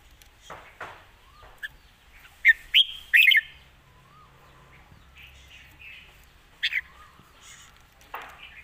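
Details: Red-whiskered bulbul said to have good song phrasing, giving short, sharp whistled notes in small clusters amid long quiet stretches, soft chattering and a low background hum.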